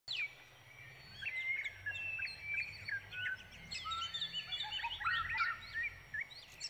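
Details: Brown prinia chicks waiting for a parent that is out foraging for food for them: a busy overlapping chorus of high, short, sharp chirps and thin upslurred notes, sometimes rising and falling, closely packed over several seconds.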